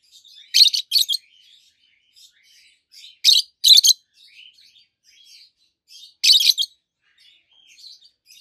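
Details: Two adult peach-faced lovebirds, green with red and yellowish-white faces, chirping: harsh shrill bursts in pairs about every three seconds, with quieter twittering and squeaky notes filling the gaps.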